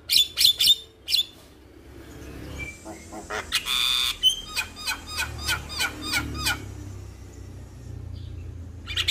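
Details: Male Javan myna song meant to prompt other mynas to sing: scattered sharp chips, a harsh burst, then a quick run of clicking whistled notes before falling quiet.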